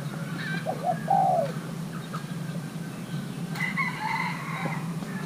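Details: Young male Thai-hybrid spotted dove, kept for pairing, gives a short low cooing phrase of two quick notes and a longer drawn coo. Faint fowl-like calls follow later over steady low background hum.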